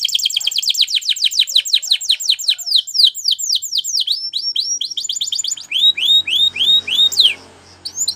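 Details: Spanish Timbrado canary song for training canaries: a fast, steady run of high downward-slurred notes, roughly three or four per second, shifting into looser upswept chirps near the end.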